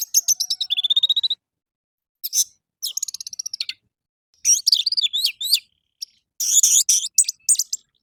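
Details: Orange-headed thrush morning song, played to lure captive birds into singing: rapid rattling trills, a sliding whistle, loud varied phrases with up-and-down slurs and dense twittering, with brief pauses between bursts.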